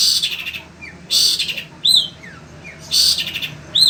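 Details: Sembur long-tailed shrike, kept caged in Indonesia, singing on through the heat: broad harsh grating bursts separated by clear arched whistles and faint falling notes.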